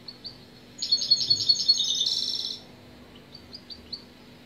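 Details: European goldfinch singing a quick burst of bright, high twittering notes for under two seconds that run into a dense buzzy trill, with a few soft scattered chirps before and after against a quiet background.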